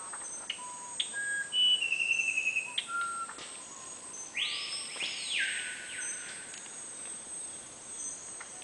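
Musician wren singing clear, flute-like whistles at shifting pitches, with a quick rattled run of notes and a broad swooping note, over a steady high insect hiss.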